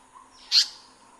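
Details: A single harsh, rasping high note, about a fifth of a second long, from an Indian paradise flycatcher in its breeding habitat, over a faint, quiet background.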